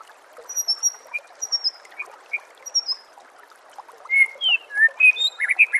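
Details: White-rumped shama song used as a master recording for training songbirds: clear high whistled notes repeated in short phrases, then a burst of varied rising and falling whistles and chirps over a steady background hiss.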